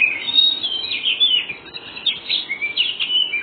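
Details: Oriental magpie-robin with a white breast, a very vocal bird in the 'ngobra' song style, used to coax young birds into answering: continuous, varied high chattering and whistled phrases, slurred and scratchy, with steady background hiss.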